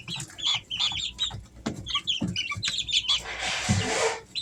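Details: Easter Egger chicks, three weeks old, at home during summer, cheeping in quick high notes for about three seconds before a rush of rustling noise briefly drowns them.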